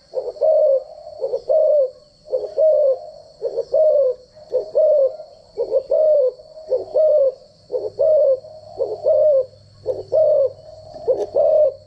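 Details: Decoy spotted dove giving standard cooing for daily voice training of doves. A regular run of low, mellow two-part coos repeating roughly once a second, over a constant faint high-pitched whine.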